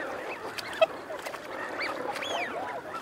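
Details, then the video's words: Eurasian wigeon males and females in chorus: several soft arched whistles, some overlapping, above a continuous low babble of growling and chatter. "Wigeon. Calls Cu-Mcu From Males, Females Also 'Growling' Mcu-Cu, Calls From Whoop"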